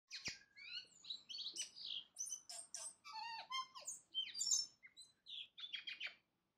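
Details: Tui singing at dawn: a rapid, varied run of ringing whistles, clicks and wheezy notes, many sliding down in pitch, tumbling along without pause for about six seconds.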